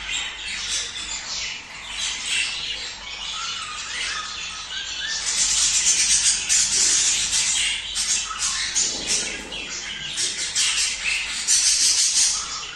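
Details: Budgerigar chorus used to encourage pairs to mate: busy overlapping warbling, squeaky chirps and buzzy notes pulsing roughly three times a second, swelling louder midway with a thin sustained high whistle.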